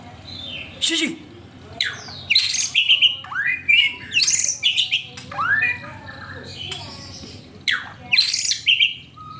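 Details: White-rumped shama singing a rich, varied sequence of bright whistles, swooping slurred notes and sharp downstrokes in bursts, used to make a kept bird sing.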